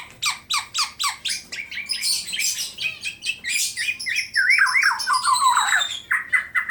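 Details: Tame black-naped oriole kept in Klaten, Central Java, in full song: quick repeated sharp notes build into a dense, buzzy, high jumble and then a looping, wavering fluted phrase, ending with clipped calls.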